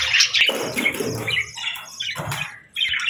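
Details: Short, sharp chirps and scratchy warbles from budgies at feeding time come in uneven bursts, separated by a brief lull near the end.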